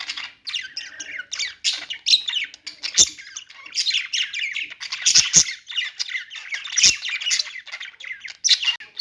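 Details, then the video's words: Nine seconds of nonstop budgie chatter: dense, buzzy warbles and squawks with several sharp clicks scattered throughout. "budgies singing | budgie sounds | parakeet chirping sounds"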